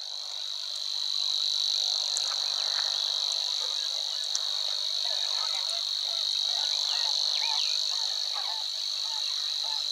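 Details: Savi's Warbler singing in marshland near the Weerribben, Wetering West, Overijssel, 6–7 May 2022: an unbroken, buzzy, high-pitched reeling trill held at one pitch throughout, with faint chirps of other birds underneath.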